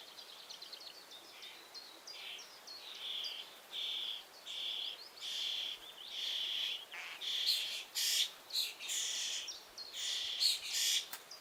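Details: A young common starling calls from the nest box opening as its parents bring food. Thin chirps build into a run of strident rasping shrieks that grow louder and closer together.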